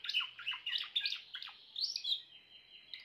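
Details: Grey Timbrado canary: quick rolling chirps for two seconds, ending in a long, thin, steady whistle.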